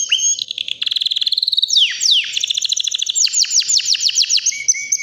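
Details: White canary, around three years old and ready to breed, sings a varied strophe: a fast chattering trill, then downward-swooping whistles, buzzy rolls and a series of loud rising notes, ending on a steady whistle.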